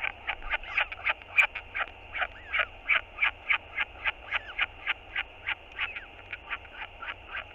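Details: Hungry northern royal albatross chick begging its father for food at the nest; loud, rapid, evenly repeated pulsed calls, about three each second, continuing steadily over a soft background hiss of wind.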